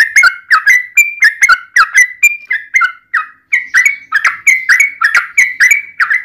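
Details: Yellow-vented bulbul song meant to goad other bulbuls into singing: a steady run of about sixteen short liquid, bubbling phrases, rapid and evenly spaced, with only a brief pause midway.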